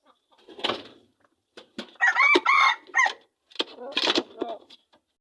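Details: Junglefowl from Aceh, an original bird caught only a week earlier, giving a short harmonic crow in the middle, surrounded by scratchy bursts and faint clucking noises before and after.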